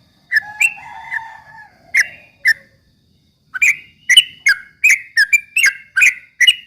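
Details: Ropel bulbul song used to incite rival birds: chirps and a low drawn whistle, a silent pause, then a quick run of loud repeated chirps.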